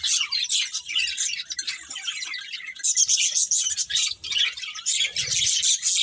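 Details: Several colourful budgies chattering as they eat, with busy high twitters and warbles running throughout, rising in bursts, with faint low rustling.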